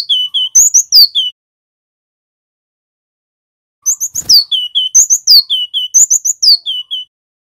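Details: Male Javan cinereous tit giving a master lure song meant to get other birds singing: two bursts of rapidly repeated whistled notes, each sweeping downward then levelling off, mixed with sharp high chips, separated by a long silent gap.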